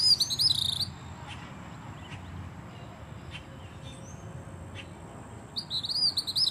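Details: Gray kingbird at Siesta Key, Florida, described as singing: two bursts of harsh, buzzy, stuttering chatter at start and end, with a faint steady insect-like whine and light ticks between.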